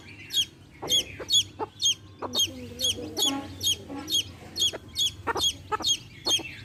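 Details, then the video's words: Baby chicks with a hen, peeping in a steady run of high, sharp, downward-sliding chirps, about two per second, over a low hum and a few soft clucks. "Hen sounds | chicks sounds | relaxation sounds | hen videos | baby chicks chirping sounds"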